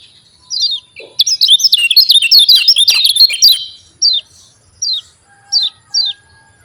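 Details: Javan white-eye (kecial kuning) song in the 'ciak jos' style, used as a lure to get reluctant white-eyes singing: a dense burst of rapid twittering chirps lasting about two seconds, then sharp descending chirps repeated roughly every 0.7 seconds.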